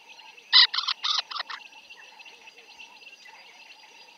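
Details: African jacana (Actophilornis africanus) gives a quick burst of five harsh, rasping notes in about a second, then falls quiet against a faint steady insect hum and soft distant calls.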